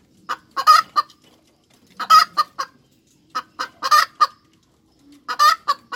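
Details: Hen cackle in four short groups over six seconds, each with one strained, louder note among quick harsh clucks, irregularly spaced with near-silent pauses.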